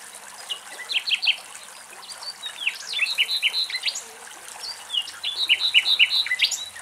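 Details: Common nightingale singing in Greek countryside: rich, varied phrases of sharp whistles and rapid repeated notes, pausing briefly between bursts; faint background hiss throughout.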